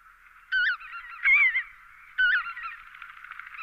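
A lesser white-fronted goose gives three high, squeaky, yelping honks about a second apart, over a steady murmur of other geese.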